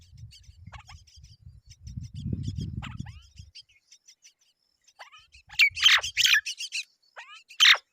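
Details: Myna chicks being fed as both parents arrive at the nest: harsh, noisy squawking bursts and short rasping chirps, loudest near the end, with faint low rumbling in the first half.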